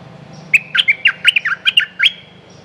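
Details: One phrase from a Streak-eared bulbul lure recording of a territory-holding songster: about ten quick, bouncy, chirping notes sliding up and down in under two seconds, over a low hum.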